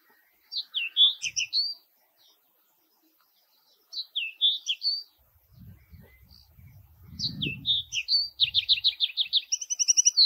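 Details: Common linnet calling, a rapid run of short twittering notes in two bursts, then a longer chattering series of clipped high notes ending in a few level whistled tones; faint low rumble in the middle.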